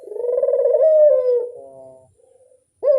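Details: A single long, pulsing coo from a ringneck dove lure call swells and then fades slowly, followed after a quiet gap by a sharp rising note.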